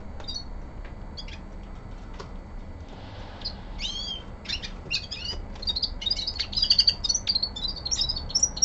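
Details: Common linnet, a young male kept at home in winter, starts with scattered high chirps and short slurred notes, then builds into a louder, quicker twittering phrase near the end.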